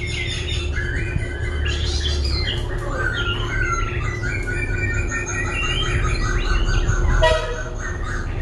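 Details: Laughingthrush singing while dancing and switching voices continuously: a rapid, varied run of chirps, warbles and slurred whistled notes, with a steady low hum underneath.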